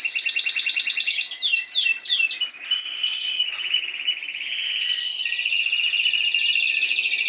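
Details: Spanish timbrado canary in a cage sings pulsed trills, a burst of downward-sweeping notes, clear repeated whistles, then a buzzy steady roll at the end.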